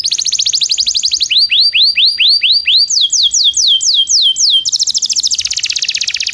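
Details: Song of a Belgian canary, used to train non-singing canaries: a fast high trill, then slower lower sweeps, then higher sweeps about three a second, closing with a dense rapid buzzing trill.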